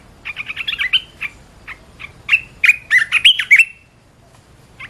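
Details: Singing red-whiskered bulbul, recorded for training other birds: a rapid run of short chattering notes, a few isolated chirps, then a rich phrase of looping whistled notes.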